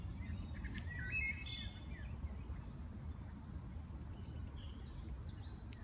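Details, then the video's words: Wood thrush song: a brief burst of fluty, liquid notes near the start, then fainter high trills, over a steady low rumble of wind or distant traffic. "Wood thrush song"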